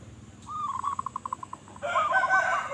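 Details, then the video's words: Local zebra dove with a reportedly big voice sings a string of about a dozen short pulsed coo notes that speed up and fade, then a louder, harsher rasping sound takes over. "Perkutut Lokal Gacor Suara Besar"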